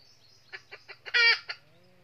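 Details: Red junglefowl decoy hen of the northern red-eared type, used in a trap to lure wild males in Vietnam. Four short, evenly spaced clucks build into one loud, harsh squawk, then a final cluck, over a faint low hum.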